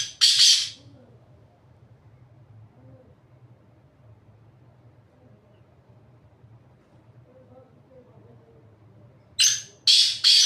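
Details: Black francolin calling from a rock top: a harsh raspy burst at the start, a long quiet gap with faint distant bird whistles, then three rapid grating notes at the end.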